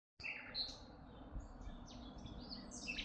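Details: Birds chirping in Tuzla: scattered high, thin chirps and short twitters over a steady low rumble of background noise.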